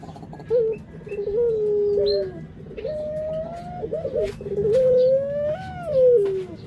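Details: Barbary dove (puter) cooing in a rolling sequence: a short burst, then long humming notes that rise slowly, peak and fall away at the close.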